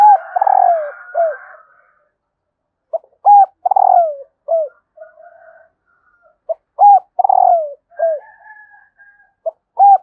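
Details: Female spotted dove calling to stir up males. Several repeated phrases of clipped arched coos and a longer coo gliding downward, with brief pauses and faint raspy murmuring between them.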